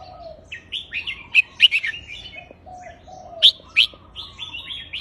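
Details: Red-whiskered bulbul counted-phrase song: sweet warbled whistles broken by sharp, loud, high notes in pairs, with a gentle lower whistled tone running between the phrases.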